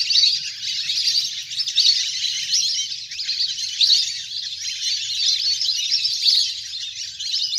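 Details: A large natural flock of ducks at play on the water fills the air with a sharp, massed chorus of high whistles that pulses louder and softer every second or so.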